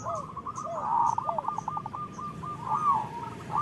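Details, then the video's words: Zebra doves of a local type singing, a recording intended to get lazy doves singing; a continuous run of fast cooing notes with a few lower curved coos beneath, over faint background hiss. "Perkutut lokal gacor Suara Besar Pancingan Perkutut Cepat Bunyi Gacor"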